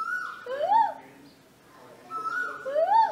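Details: A male Asian koel at a home in Hassan, India, answering a person imitating it, gives two rising, fluty 'ko-el' calls about two seconds apart, each starting level and sweeping upward, with a faint room background.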